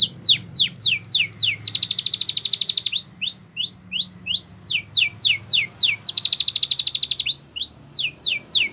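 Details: Canary song used for training: quick falling whistles give way to a loud rapid rattling trill, then a row of upslurred chips, more swift down-sweeps and another rattling roll, clean and loud throughout.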